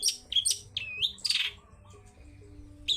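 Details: Lively long-tailed shrike song in wild style, used to entice other shrikes to sing: sharp high chips and clear downslurred whistles, then a short rasping burst, before a brief pause and one more chirp.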